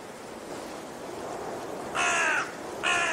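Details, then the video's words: Raven calling, a pair of rasping caws close together near the end after a quiet stretch of faint hiss. "Raben Geräusche - Raben Sound"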